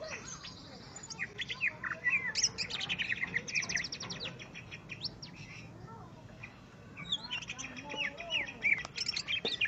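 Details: Greater green leafbird in song when facing a fighting rival: rapid chattering bursts of high trills and clipped whistles, briefly quieter in the middle before a renewed burst of sharp notes.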